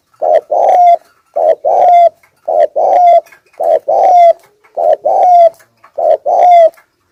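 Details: Spotted dove serving as a decoy, cooing in the 'thúc gù' manner: steady series of six double coos, a clipped note then a drawn-out rising one, evenly spaced about once a second, in a quiet setting.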